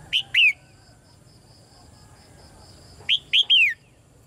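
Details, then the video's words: Red-whiskered bulbul chirping call to stimulate male song: a short two-note slurred phrase, a pause of nearly three seconds with a faint thin steady tone, then a three-note phrase. "นกหัวจุก birds - เสียงนกร้องเจี๊ยก ๆ กระตุ้นการขับขานของนกตัวผู้"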